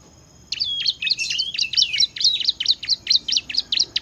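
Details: Bar-winged prinia (ciblek) singing in the lively gacor ngebren style: a fast run of sharp, high chirps, roughly two per second, mixed with short downslurred whistles, after a brief quiet start.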